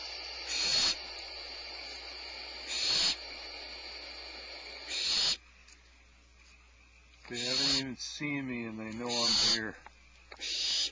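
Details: Unseen nest birds hiss in response to a nearby person at a watched nest; short rasping hiss bursts come every two seconds, then a man's voice speaks briefly before more hissing resumes.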